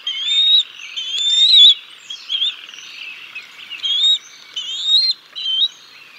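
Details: Bald eagles at the Decorah North nest on 6 May 2022 while the chicks are fed a fish, recorded by live nest camera; drawn-out high whistles, then shorter upslurred piping notes in an irregular series.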